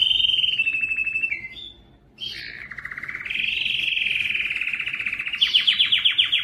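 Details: Belgian canary singing its strongest breeding song to draw females: a rolling trill that dips in pitch, a short silence, then a long rising warble ending in fast, loud pulsed notes.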